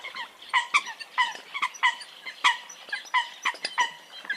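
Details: Eurasian coots uttering nasal, trumpeting calls in quick irregular succession, with several birds answering one another.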